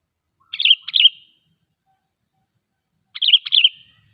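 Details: Sooty-headed bulbul with a short, cheerful chirping phrase, used to lure wild bulbuls closer and spur them to sing; two brief phrases about two and a half seconds apart in clean silence.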